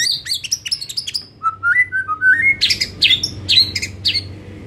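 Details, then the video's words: White-rumped shama afternoon lure song, played to make other shamas sing more and more openly: rapid high chattering notes, then a descending run of slurred whistles leading into bright, loud repeated phrases, with a low hum underneath. "Pancingan SORE HARI efektif jadikan MURAI jadi LEBIH GACOR dan NGEPLONG"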